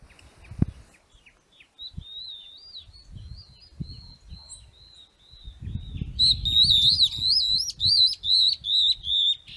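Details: Wild stripe-backed antbird in caatinga at Sítio Pau Preto, Potengi, Ceará, Brazil: a long, thin whistled note wavering at steady pitch, followed by loud, looping warbled whistles rising and falling in repeated phrases, with low rustling and thumps underneath.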